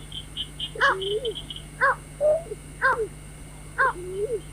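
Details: White-breasted waterhen call used as a lure for night bird trapping: harsh harmonic notes about once a second, some with lower drawn-out slurred tails, over a steady electronic whine and low hum, with faint high chirps early on.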